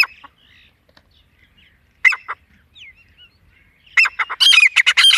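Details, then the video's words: Grey francolin, called desi teetar, voice used to lure birds when hunting: scattered sharp notes and a short burst early on, then a loud, rapid, grating series of repeated squawky notes closing the recording. "Shkar wali Awaz #Dasi gory jangle tetra ke Awaz #Dasi tetar ke voice"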